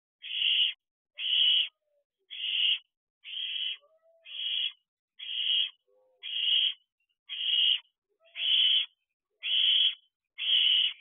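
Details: Young barn owls in an owl box at night, 29 June 2023, competing for food brought by the mother: eleven even, breathy rasping hisses about one per second, each half a second long, in a steady rhythm.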